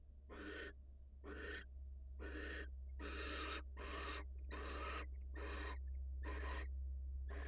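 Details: Wild barn owl at the nest as the female goes out to greet her mate: loud, raspy hiss bursts repeated roughly every second, eight in all, over a constant deep hum.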